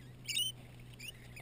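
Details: A wild lorikeet feeding on marshmallow bread at a lakeside campsite at 7 am gives one shrill, harsh screech lasting about a quarter second, followed by a fainter squeak, over a low steady hum.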